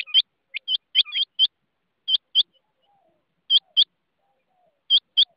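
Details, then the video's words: Rain quail producing tight pairs of sharp, ringing high notes, a fast cluster first, then evenly spaced doublets about every second and a half. "rain quail voice"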